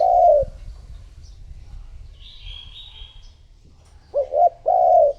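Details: Spotted dove kept as a lure for wild doves, giving a drawn-out low coo, then after a pause a short double coo and a longer mellow coo, with a faint high bird note between.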